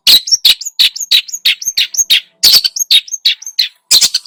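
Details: Long-tailed shrike singing a busy lure song packed with varied phrases: harsh broadband rasps alternating with short high whistled notes, delivered in rapid irregular bursts about three a second, with one brief pause midway.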